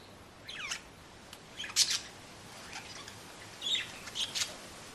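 Budgerigars chatter with quick, high chirps and scratchy warbled notes in short bursts.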